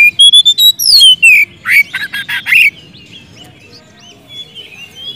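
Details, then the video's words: White-rumped shama singing to call a rival, used as a lure to get a silent bird singing: clear whistled phrases sliding downward, then rapid loud chattering notes, fading into softer twitters. "siulan kacer gacor ngeplong memanggil lawan,cocok buat pancingan kacer macet malas bunyi jadi gacor"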